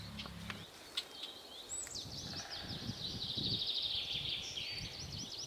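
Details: Young swallows at a lake twitter in a continuous, high warbling stream of fast wavering notes, with a few separate chirps at the start and a low rumbling background.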